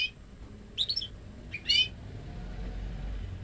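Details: A ten-month-old goldfinch × canary hybrid, hatched May 2013 from its owner's own breeding and raised without hearing male canaries, gives two short bursts of high, jangling goldfinch-style twitter separated by a pause, over quiet room hum.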